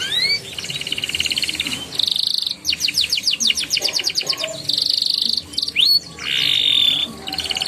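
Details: Canary song meant to prompt young canaries to sing, in ngeriwik and ngeroll style: high buzzy rolled trills alternating with rapid chirping note series and sharp upslurred whistles, in quick varied phrases.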